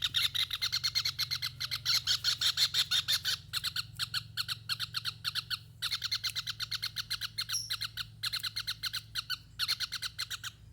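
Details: Javan kingfisher calling nonstop: long, rapid rattling series of harsh, scratchy notes, roughly three per second, in extended runs broken by brief pauses, loud and clear throughout.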